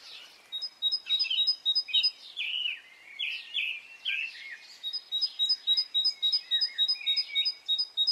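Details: Birds in song on a spring morning in Brittany, opening with quick high pulses, then a middle stretch of sweeping warbled phrases before the steady, rapid two-note repetition returns.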